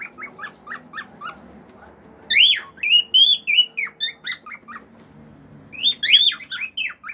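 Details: Pet male cockatiel singing natural sounds including whistles and clicks: soft chirps at first, then loud looping whistled phrases and chirps over a low background hum.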